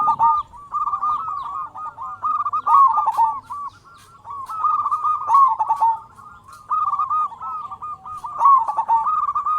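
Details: Zebra dove of a local strain, used to excite quiet zebra doves into calling: long runs of rapid, stuttering, rolling coos in repeated phrases, nearly continuous with short pauses.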